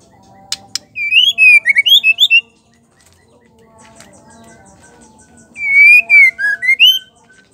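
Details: Female white-rumped shama calling to provoke males into singing: two bursts of loud, clear whistled notes sliding down and up, a faint low hum and quiet background between them.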